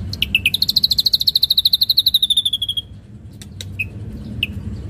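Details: Ashy drongo singing energetically in a lure recording with rich mimicked phrases: a rapid, high-pitched trill of crisp notes, about twelve per second, lasting over two seconds, followed by a few scattered, separate chirps.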